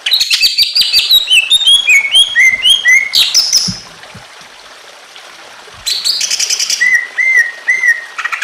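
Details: Emotional song of a greater green leafbird with gurgling water, meant to trigger other leafbirds: a rapid cascade of high, looping whistles and chirps, a pause filled by water, then more chirps and three evenly spaced slurred whistles.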